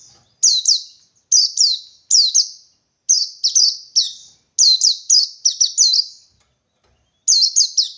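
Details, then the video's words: Wild forest white-eye seeking a rival, singing in the '123-beat' style: high piercing notes in short bursts of two to four, each note sliding downward. The bursts come roughly every second, with one longer gap near the end. "Burung Pleci Ngalas 123 Mencari Lawan"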